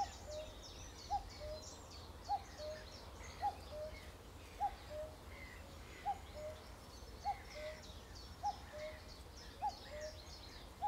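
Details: Cuckoo heard through the trees, repeating its falling two-note cu-ckoo about nine times at a steady pace of roughly one phrase every 1.2 seconds, over chattering higher-pitched birds and a low steady rumble.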